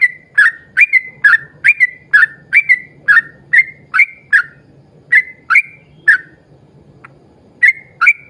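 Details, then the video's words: A yellow-vented bulbul pours out a long 'ropel' series of rapid chirps used as a lure for other bulbuls, fast repeated bright notes that break off briefly before resuming, with a low hum beneath. "trucukan gacor ROPEL PANJANG buat pancingan trucukan agar bunyi"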